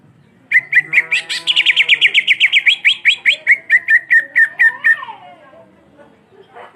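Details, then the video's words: Greater green leafbird, black-beaked type, in an extended rolling song used to rile up rivals: a continuous four-second run of rapid, sharp repeated notes, rising briefly in pitch and then easing lower toward the end. "Cucak Ijo Gacor Ngerol Moncong Hitam Panjang Cocok Memancing Emosi"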